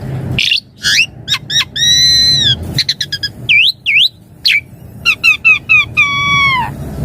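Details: Javan pied starling 'isian mompa' song, suited for daily master and lure: mixed clicks, quick upward flicks and V-shaped whistles, broken by two long, drawn-out, rich nasal notes, over faint background noise.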